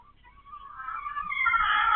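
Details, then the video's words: Domestic hen that has begun laying eggs; a thin, quiet note swells into a loud, rising, harmonic squawk that is still building at the end. "They say roosters are loud, so are hens"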